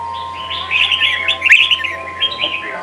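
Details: Red-whiskered bulbul in a Sông kon training song for young birds: a soft, continuous jumble of chattering, warbled notes, fairly muted, over a steady low hum and a thin tonal whine.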